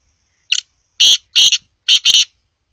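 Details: Black francolin (kala teetar) calling: a short rasping note, then two long harsh grating notes, a brief pause, and two more buzzy notes in close succession, loud and clipped against silence.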